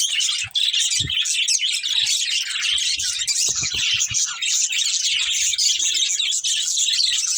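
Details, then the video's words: A breeding pair of budgies keeps up dense, raspy chirping and warbling, rapid high twitters running nonstop, with several low knocking sounds early and midway. "Beautiful Budgies Chirping Sounds"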